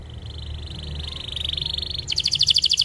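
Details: Canary song meant for tutoring young canaries: a steady high buzzy trill that grows louder, then switches abruptly to a fast, loud, higher-pitched pulsing rattle.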